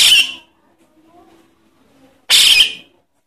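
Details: Javan myna chick begging, used to lure adult birds: two loud, harsh, hissing rasps about two seconds apart, with quiet gaps between.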